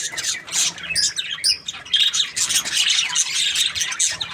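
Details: Happy budgerigar twittering in short bursts of high chirps and chattering trills, with brief gaps between phrases.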